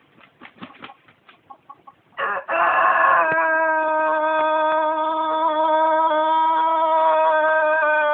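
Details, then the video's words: A Tōtenkō long-crowing rooster gives a very long, steady, tremulous crow held for over five seconds, after a few soft clucks from the flock. "長鳴鶏の鳴き声 Long-crowing chicken Tôtenko"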